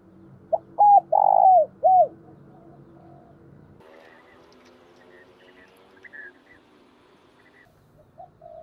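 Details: Spotted dove in the thúc and gáy gọi calling style of lure birds: one clear phrase of two hooked notes, a long coo and a falling last note, followed by quieter mixed background sounds and faint distant notes.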